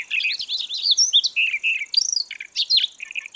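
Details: Siberian rubythroat song for luring birds to a trap: continuous fast, varied warbling mixing slurred whistles, short trills and chirps, with a steady high faint whine behind.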